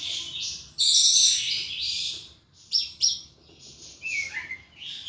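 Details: Caged pet thrush singing intensely in ngeplong style, loud high bright phrases with a dense burst early on, then short sharp notes and a descending whistled slur near the end.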